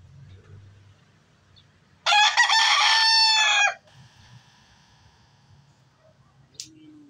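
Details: A white rooster gives one loud, harsh crow lasting nearly two seconds, rising then held and trailing off, against a quiet background with a faint click afterward.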